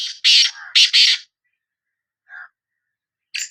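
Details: Sindhi black francolin calling: harsh, grating broadband bursts in a quick cluster of three, then a lower nasal note after a pause and one more short rasping burst.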